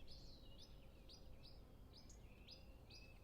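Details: Nesting European pied flycatcher, parent of two young, singing a clear rhythmic phrase: bright high chirps with falling tails repeated about every half second, faint low hum beneath, distant birds; recorded using Zoom F6 and Sennheiser MKH 8040.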